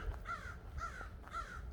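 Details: Crows heard outdoors on a Sunday nature walk, with a little traffic: three hoarse, slightly down-slurred caws, evenly spaced about half a second apart, over a soft low rumble of distant traffic.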